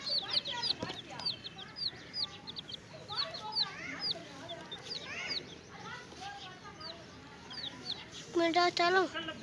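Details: Chicks with a hen peep in high, rapid notes, joined by lower clucks and a loud harsh call near the end; some background voice.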